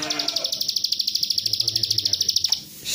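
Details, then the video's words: Plain prinia song played to provoke another prinia into singing; a fast, even buzzy trill of rapid high pulses, about eight per second, held for over two seconds and then stopping abruptly. "pancingan ciwah nembak rapet"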